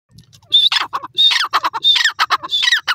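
A francolin calls loudly in harsh, grating phrases. Each phrase opens with a thin, high whistle, and the phrases repeat about every half second.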